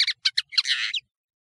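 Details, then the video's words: European serin song fragment, used as a tutoring recording for nino birds: a few sharp high chirps followed by a brief buzzy, scratchy jingle ending abruptly. "تغريد طائر التفاحي ( النينو شريط تسميع عالي الجودة )"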